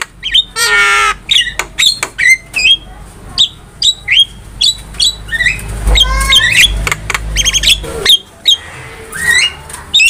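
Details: Javan myna (jalak kebo) singing vigorously in gacor style, a master recording for training cage birds: harsh squawks, rattling bursts and short rising whistles tumble out in quick succession, with a low hum beneath.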